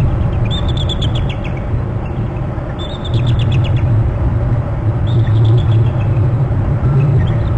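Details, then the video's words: Bald eagle pair at its nest territory on Hornby Island calling in alert as two other eagles soar around, March 24 at 10:49. Three bursts of rapid, thin, high chittering notes come roughly every two seconds over a steady low rumble. "our two call and alert and two other eagles soar around the bst"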